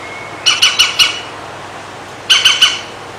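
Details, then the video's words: European green woodpecker at a bath, drinking and bathing, filmed through a window: two quick runs of harsh, ringing notes, four then three, each note slightly falling, against a constant hiss. "Pic vert 2016 european green woodpecker picus viridis 1 30mn 1080p with songs bird"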